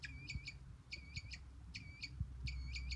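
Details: Newly hatched Northern bobwhite chicks found in New Jersey as part of a quail restoration effort: thin, high peeps given in tight bursts of three, each burst repeated roughly every 0.8 seconds over a low background rumble.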